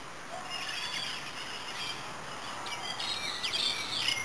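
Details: Pileated finch giving quick, high, chirping notes that come in a hurried cluster near the end, heard against constant hissing background noise.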